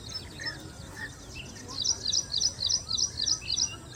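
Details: Ashy prinia singing: after a quiet start with a couple of soft notes, a run of sharp, high, rhythmic double notes repeats about three times a second, over a constant high background hiss.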